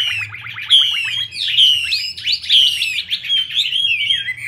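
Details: Chinese hwamei; a female performs a wing-spread dance to stimulate the male. A rapid stutter of short notes runs into bright, sweeping whistles and looping phrases, with a low hum throughout.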